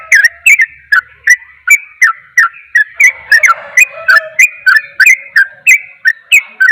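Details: Sooty-headed bulbul giving a rapid song said to agitate other bulbuls: short bright chirped notes, about three per second, with ringing tones between them and an echoing background, delivered almost without pause.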